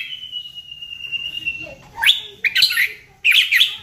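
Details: White-rumped shama lure song meant to provoke singing: one long level whistle held for nearly two seconds, followed by three harsh, buzzy chattering bursts.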